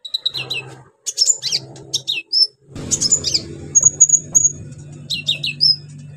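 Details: Orange-headed thrush in lively full song packed with mimicked phrases, played to stir silent birds into singing: high whistled notes, sharp chirps and a clear rising whistle, with a steady low electrical hum underneath.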